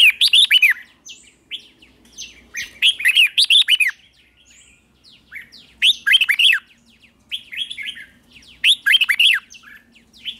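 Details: Morning training song of a red-whiskered bulbul, delivered in repeated loud warbling bursts roughly every two to three seconds, each a quick cluster of rising and falling chirps, with faint soft notes and a low hum in the gaps.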